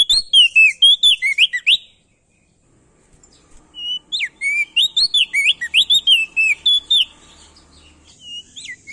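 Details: Loud male ashy tailorbird, endemic to Nusa Tenggara, used to prompt other birds into song: rapid bursts of sharp, sliding whistles separated by a brief pause, with a faint hiss behind.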